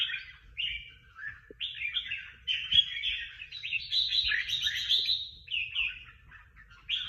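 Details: Prize-winning contest bird delivers a varied series of bright, chirpy warbled phrases, short at first, then a longer, richer flourish, ending in quick twitters over light low noise.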